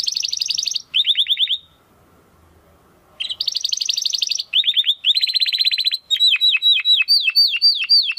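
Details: Canary singing in the 'crystal' style kept for training competition birds: rapid high trills, a brief pause, then successive trill phrases ending in a string of downward-sweeping whistled notes at about four per second.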